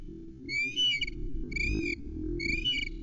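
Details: Female osprey at a nest on Loch Arkaig, watched by nest camera on 11 May 2020, calling impatiently in full voice for the male to deliver fish: three drawn-out, high whistled calls about a second apart over a low rumbling background.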